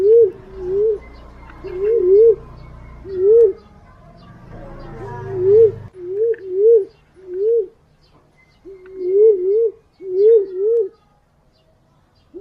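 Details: Whistled green pigeon calls for luring: clusters of two or three rising-falling notes, about a dozen in all, at first over low engine-like rumble that then falls quiet.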